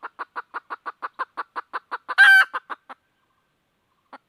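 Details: Red junglefowl hen seeking a rooster gives a quick, steady train of short clucks, interrupted midway by one loud, rough squawk, then falls silent before two faint final notes.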